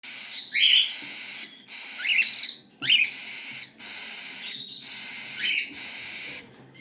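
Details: Cockatiel chicks giving loud, harsh, buzzy rasping calls in repeated bursts of about half a second, separated by short pauses, with a faint steady background hiss.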